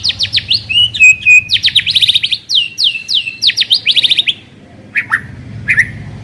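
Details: White-rumped shama, kept as a caged bird, singing a lure song meant to prompt another shama to sing: rapid series of loud downslurred whistles repeated several times a second, a few sustained notes, then two sharp calls after a pause.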